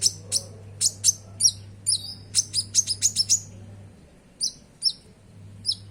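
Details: Konin, or common iora, in bright song meant to coax caged birds into singing: a rapid string of about fifteen sharp high chirps, then a pause and three slower spaced notes, over a low hum.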